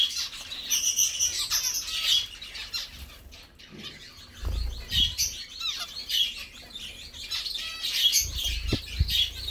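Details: Caged zebra finches singing, chirping and bathing during a meal; high nasal chirps and short tooting notes come in bursts, with soft low thumps of movement between them.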